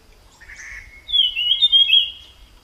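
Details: Wild jungle flycatcher: a brief harsh, buzzy note leads into a sustained sweet whistled phrase with quick wavering inflections, in otherwise quiet surroundings.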